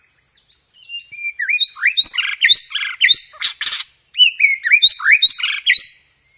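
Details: Loud, clear white-rumped shama lure song packed with 'roll tembak' material and fighting-sparrow imitations; dense bursts of sharp rising and falling whistles and buzzy chatters follow one another almost without pause, over a constant high-pitched background tone.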